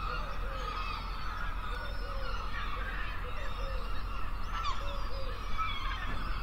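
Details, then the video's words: Gulls at a beach give short, nasal, slightly rising calls, several overlapping every second or so, over a steady low rumble of surf and wind. "Sonido de pájaro gaviota"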